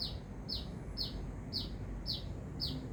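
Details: Sunbird in full voice near Binjai: six crisp, high chirps, each dropping in pitch, evenly spaced about half a second apart, against a low background rumble.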